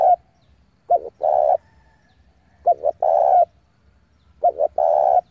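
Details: Spotted dove decoy calling wild rivals in to fight, giving three phrases roughly two seconds apart, each a quick double note followed by a long, rich, slightly rolling coo; otherwise quiet.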